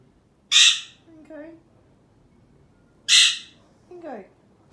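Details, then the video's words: A captive male Alexandrine parakeet gives two loud, harsh screeches about two and a half seconds apart. Each is followed by softer, lower voice-like sounds that slide downward, part of its singing and talking. "Alexandrine singing and making sounds"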